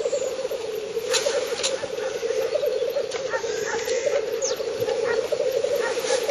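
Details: Black grouse lekking in spring in northern Finland, 30 April 2011, at 50–70 m: an ongoing rolling, bubbling chorus with several brief hissing bursts and short high call notes scattered through it.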